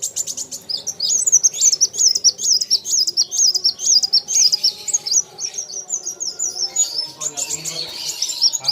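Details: Rapid rivalry song of a kolibri wulung sunbird facing an opponent: a long chain of high, wavering, buzzy trills, about two notes a second, sustained for many seconds with faint low hum behind.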